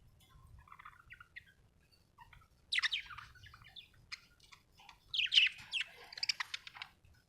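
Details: Happy budgerigar starting with soft, quiet warbles, then breaking into louder bursts of scratchy chirping chatter in the second half.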